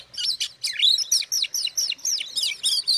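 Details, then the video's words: Oriental magpie-robin song meant to rile up rival magpie-robins: a quick series of loud, high down-slurred whistles repeated about four times a second, clean and unaccompanied. "suara kacer buat pancingan kacer lain emosi"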